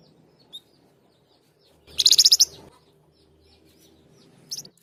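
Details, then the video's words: Flamboyan gives a brief, bright burst of rapid, high-pitched notes lasting about half a second. Soft single chips sound before and after, with a low background hum. "Flamboyan Gacor Dor"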